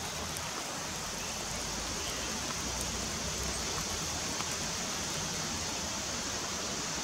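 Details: Loud, constant rushing of rain or a stream covers everything, a dense hiss across all pitches with no animal calls standing out.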